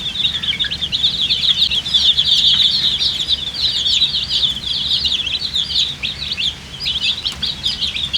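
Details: Group of baby chickens with coloured down chirping with thirst for drinking water; a loud, crowded wall of shrill peeps, roughly two notes a second standing out, briefly thinning before swelling again.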